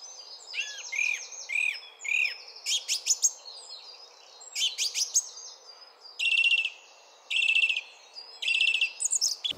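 A song thrush sings loud, high, varied phrases, each repeated two or three times in quick succession before it switches to a new phrase.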